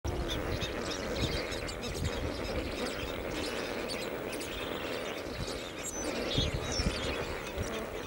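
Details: Lesser flamingos, thousands in courtship on a morning near the airport at Bhavnagar, Gujarat, India, outside their breeding area, keep up a steady, overlapping gabble of nasal honks and murmurs from a dense flock, with no pause.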